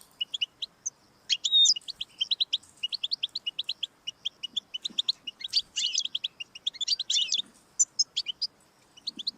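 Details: Goldfinch song for encouraging a pet goldfinch to sing, a lively unbroken twitter of quick metallic notes, with a drawn whistle early on and buzzy trills toward the end.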